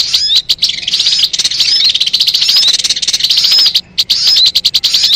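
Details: Sogon song used as a trapping lure: continuous shrill warbling chatter packed with rapid notes and short whistled slurs, with one brief pause before it resumes.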